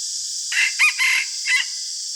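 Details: Red junglefowl crowing in the morning, used as a decoy bird for luring wild junglefowl: one short four-part crow lasting about a second, with a bright middle note and a clipped ending, over steady loud hiss.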